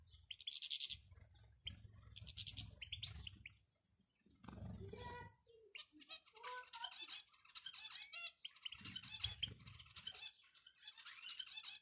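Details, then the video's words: European goldfinch male and female calls played to encourage a male to sing: sharp bursts of twittering, then a run of liquid chattering notes and short trills in clusters, with occasional low bumping noises. "بتبتة ونداء دكر وأنثى الحسون"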